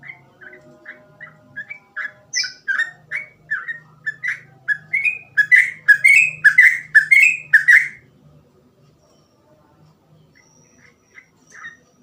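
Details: Sooty-headed bulbul giving rapid 'gacor ropel' song: a long run of short, bouncy whistled notes growing louder and faster, then silence with a few faint notes at the end.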